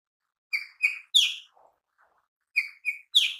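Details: Lesser green leafbird (cucak ijo mini) in energetic gacor song used as a lure: sharp bright chirps in two short bursts, each of three clipped notes, separated by a pause of about a second.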